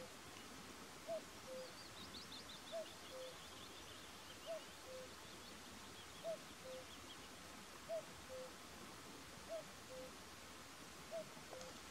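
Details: Short-eared owl (Asio flammeus flammeus) in the mountains of Härjedalen, Sweden, gives paired short notes, the second slightly lower, repeated about every one and a half seconds over steady background hiss.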